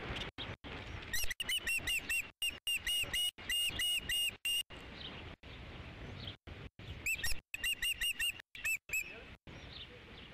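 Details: Nest camera recording of an Osprey on 3 July 2016 as a fifth fish arrives: rapid runs of high, piping chirps, several per second, in two long bursts separated by near silence and faint background rustle.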